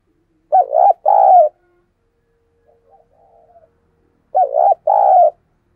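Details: Decoy dove calling to lure wild doves, giving two loud paired coo phrases about four seconds apart. Each phrase is a short double note followed by a longer, rolling, slightly falling coo, with soft murmuring coos between them.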